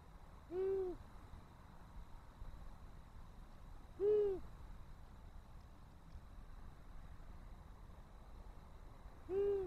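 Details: Long-eared owl showing interest in a nest, 18 March 2024: three deep, even 'hoe' hoots, each short and slightly arched, spaced about three and a half seconds apart against a quiet low rumble.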